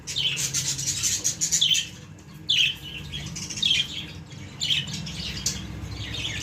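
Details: Baby budgies making a run of high warbling chirps, then separate squawky call bursts roughly every second, with a low hum in the background.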